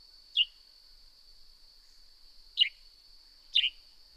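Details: Northern grey-headed sparrow calling in nature: three short, sharp descending chirps spaced irregularly, the second and third about a second apart, over a steady high insect-like hum.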